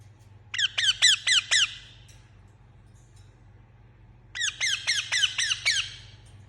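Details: Pet Indian ringneck parakeet calling in two bursts of sharp, downward-slurred screeches, about five notes each, separated by a two-second pause; faint background hum.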